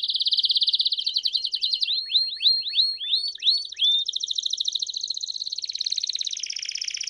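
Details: Belgian canary bell song opening with a fast even trill, moving into a run of ringing upward-slurred whistles, then settling into a long rapid high rolling trill.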